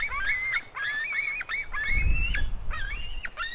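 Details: Two white-tailed eagle eaglets, a female and her brother, fight: thin, whistled squeals that rise and fall, given in quick broken runs with brief gaps, over a low rumble.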